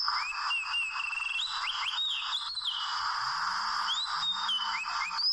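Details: Wild Oriental magpie-robin, trapped with small ropes, gives long drawn whistles that step and slide upward, then a few short rising notes, against a constant dense insect-like hiss.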